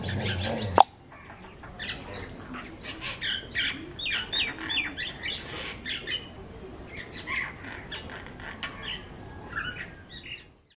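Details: Myna singing a varied string of short whistled and chattering notes, mostly mid to high pitched, with a sharp loud click at the start and faint background noise throughout.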